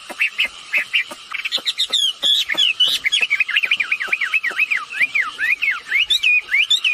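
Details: Red-billed blue magpie pair, male and female, sounding off as a calling lure: sharp clicks give way to a fast series of looping, up-and-down whistles, loud and repeated.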